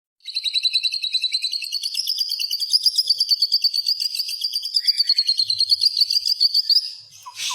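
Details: Caged white-rumped shama in Indonesia, in full song and ready for a singing contest: one long, rapid, high trill of evenly repeated notes lasting about six seconds, then a brief lower note at the end.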